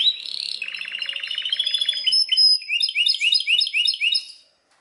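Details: Belgian canary song: a buzzy rolling trill for two seconds, then a sequence of sharp upswept chirps repeated about four per second over high twittering, ending in silence.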